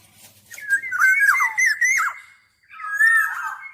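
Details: Mellow, liquid whistling from a black-naped oriole: a rolling phrase of looping, downward-sliding notes, then a brief gap and a softer wavering whistle.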